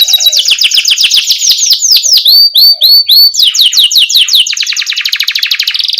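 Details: Canary singing a lure song in the continuous rolling ngerol style with cuit cuit chirps, meant as a tutor to get very young canaries singing quickly: fast high rattling trills, then a series of rising whistled slurs, then a rapid buzzy roll.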